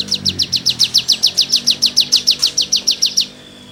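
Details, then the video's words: Cigun song used for tutoring songbirds, in lively 'gacor' style: one steady run of about seventeen evenly spaced, buzzy, downslurred high notes at roughly five per second, then silence. "CIGUNG GACOR FUL NEMBAK MATERI GESEKAN"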